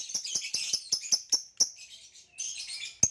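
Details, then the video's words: A caged green hybrid male Nyasa lovebird with a purple rump gives rapid high shrill chirps and squeaky chatter, ending with one sharp click. "Green Hybrid and Lilianae Nyasa Lovebird Singing & Chirping Sounds"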